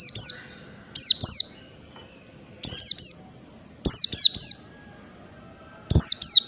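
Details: Lure recording of a wild 'ngalas' Oriental white-eye: crisp doubled and tripled high chirps, each falling in pitch, repeated in bursts every one to two seconds with quiet gaps.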